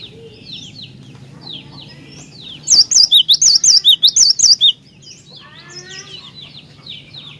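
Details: Lively cinereous tit song, used to spur other tits to sing: around ten ringing, wavy whistles alternating high and low over two seconds, framed by softer twittering from other birds and a steady low hum.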